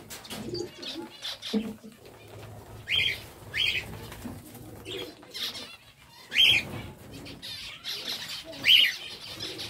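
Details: Captive zebra finches giving short nasal, harmonic call notes in scattered bursts about every second or two, set against a soft murmur of low cooing and rustling from other birds.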